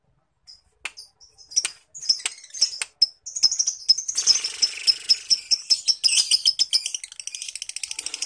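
Lovebird giving a long, shrill, chattering trill, high and rapid with sharp clicks, building into a continuous rattling stream; recorded indoors.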